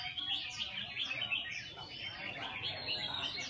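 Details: Caged red-whiskered bulbul practising its song. Overlapping quick, sweet whistled notes and chirps run without pause, with a low background murmur.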